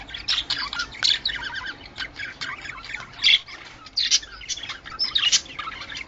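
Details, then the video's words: Budgerigar sounds used to bring birds into breeding condition, heard as busy, buzzy warbling chirps in uneven bursts, with sharper squeaky notes standing out now and then. "Muhabbet Kuşu Kızıştırma Sesleri"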